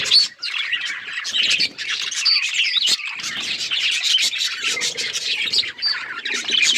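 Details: A group of budgies chirping and warbling, with sharp clicks and tweets over a scratchy murmur, a brief quiet moment at the start, then steady overlapping calls.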